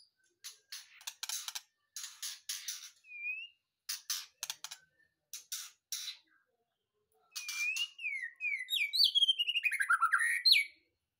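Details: Caged white-rumped shama (murai batu), freshly taken from a breeding cage, singing: bursts of dry clicking notes, then a rapid run of rising and falling whistled phrases near the end.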